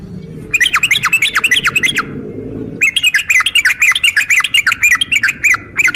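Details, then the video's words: Sooty-headed bulbul female calling for a male: rapid bursts of bright, hooked chirps, roughly three per second, in two long runs over a steady low background rumble. "trucukan ropel panjang TARUNG TAJAM buat pancingan trucukan agar bunyi jadikan trucukan gacor nyaut"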